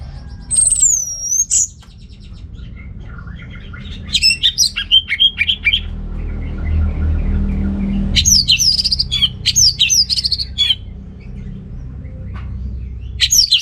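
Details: Orange-headed thrush singing as a lure for males lacking breeding drive: a high looping whistle, then bursts of sharp varied phrases separated by a long lull filled with low rumbling traffic-like noise.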